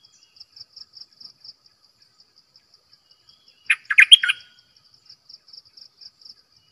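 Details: Decoy bulbul singing one short burst of rich, chattering warbled notes lasting about half a second, set against a steady high pulsing insect-like trill that runs through the whole recording.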